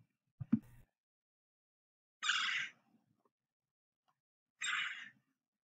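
Red-bellied Woodpecker giving two harsh, rolling quirr calls, each about half a second long and spaced about two seconds apart, after a brief low thump.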